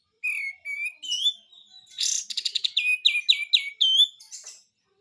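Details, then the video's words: Besetan-style song of a white-eye: two short whistles open, then a buzzy rattle leading into a quick series of repeated sharp downslurred notes. "SUARA BESETAN KAPAS TEMBAK ‼️ GACOR ‼️"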